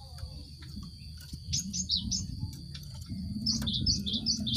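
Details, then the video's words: Song of a cinereous tit, played to get group-caged birds singing fast: two bursts of short, clipped high notes in quick succession, the second series longer, over a steady thin high tone and low background murmur. "Pancingan gelatik batu untuk merangsang burung ombyokan cepat bunyi"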